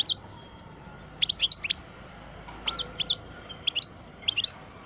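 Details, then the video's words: A 12-year-old European goldfinch of the parva form gives sparse clusters of high, bright chips and short twittered notes, grouped in quick bursts separated by pauses, over a soft background hiss. "Chant parva le meilleur"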